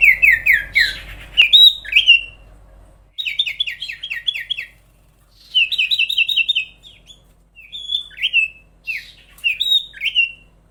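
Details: Sooty-headed bulbul singing in long, energetic bouts: fast series of six to seven short downslurred whistles alternating with briefer two-note phrases, repeated several times with short pauses.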